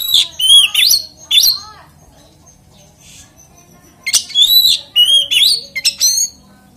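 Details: Oriental magpie-robin singing to provoke other magpie-robins: two bursts of bright whistles and slurred chirps with a quiet gap between them, notes sweeping up and down.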